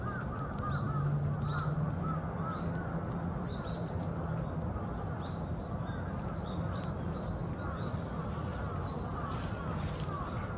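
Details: A yellow-throated bunting at the former heliport in Osaka Castle Park gives thin, sharp, high 'tsip' calls a few seconds apart. Steady low traffic rumble and distant cawing crows are heard behind it.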